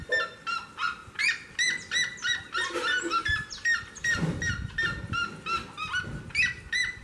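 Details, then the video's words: Seriema singing near the door of a house: a loud, far-carrying series of harsh yelping notes, strongly harmonic, repeated about two to three times per second in a steady rhythmic chorus, with faint lower rustling beneath. "seriema canta perto da porta de casa"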